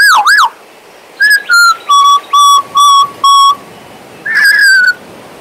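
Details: Pet male Western Australian magpie: a quick double-arched whistle, then six evenly spaced, level whistled notes about half a second apart. A long slightly falling whistle closes the clip.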